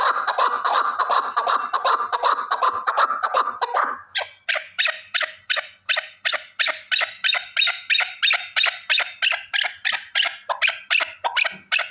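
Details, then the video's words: Male partridge, one bird. A dense, raspy burst of sound runs for about four seconds, then gives way to a fast, even run of sharp chuckling notes, roughly three per second. "Овози кабки нар Голос Куропатка صوت الحجل Partridge's voice صدای کبک"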